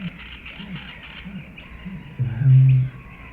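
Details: Eurasian bittern giving a single deep, resonant low boom lasting under a second near the end, preceded by faint low grunting notes and steady background hiss.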